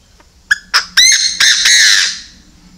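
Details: Chinese francolin kept as a decoy bird, giving a loud harsh call of five harmonic notes that start spaced and quicken, the last notes longer and drawn out, over a quiet background.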